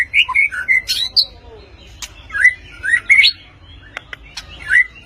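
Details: Blorok white-rumped shama, 'nembak tajam' song: short bursts of varied whistled notes, some slurred downward, separated by pauses and sharp clicks.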